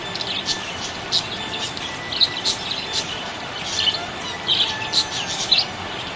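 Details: Happy budgerigar giving spaced, emphatic high chirps and squawky notes every half second or so, with quieter scratchy twittering in between.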